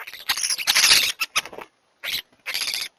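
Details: Flock of European starlings squabbling and fighting each other for a spot at a bird feeder while a crow drinks nearby; harsh, scratchy, broadband bursts in a dense jumble, then two shorter rasping bursts after a pause.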